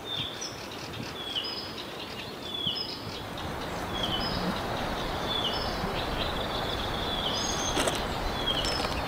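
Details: Fieldfare at a nest in Kalinovsky forest park, Yekaterinburg, where both parents feed the nestlings earthworms; short, high, downward-sliding chirps repeated rapidly throughout, over heavy broadband rushing noise.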